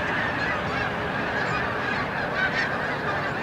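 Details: A steady chorus of snow goose honks, so many birds that the calls merge into one continuous sound, recorded at Montezuma, New York, on 7 March 2022 near peak migration.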